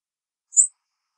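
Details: Prothonotary Warbler night flight call, distant, at Carleton, Yarmouth County, 18 August 2015 at 01:22: a single thin, very high seep passing overhead, a fraction of a second long, silence before and after.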